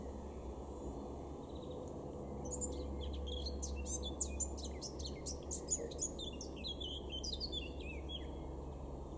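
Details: April 2022 in a Weener garden, East Frisia: a male Eurasian blackcap starts after a quiet opening, pouring out a dense run of fast, scratchy and whistled notes for several seconds over low background noise.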